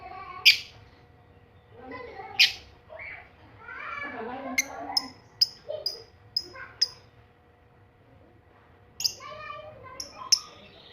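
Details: Young lovebird learning to ngekek, offered as a lure sound to prompt other lovebirds to respond: sharp, shrill chips and squeaky notes in irregular bursts, separated by quieter gaps with softer chattering.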